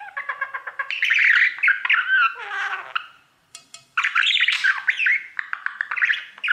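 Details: Male pet budgerigar singing to his mirror: a fast, chattering warble of squeaky notes and buzzy trills, broken by a short pause and resuming with scratchy, rising chirps.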